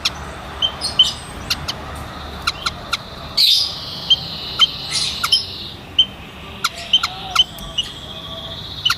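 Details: White-headed munia calling with brief, high, piping notes spaced about a second apart. A loud hissing rush breaks in midway, and sharp clicking runs through it.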